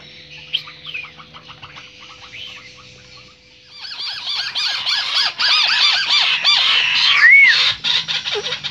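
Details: White-browed crake, a recording used as a lure for trapping birds: quiet scattered notes at first, then a loud fast chattering series of arched, nasal notes repeated well over once a second, ending with a rising whistled note.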